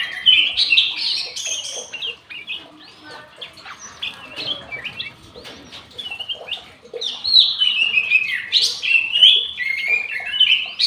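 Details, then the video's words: Black-headed bulbul singing actively in an aviary: a dense run of loud, fluty, warbled whistles with quick up-and-down slurs. There is a quieter patch in the middle, then the song surges again with many rapid phrases. "KUTILANG EMAS GACOR"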